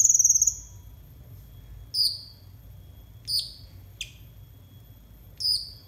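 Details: Konin song used as masteran for untrained konin: a rapid high trill at the start, then well-spaced single downslurred whistles every second or more with quiet gaps.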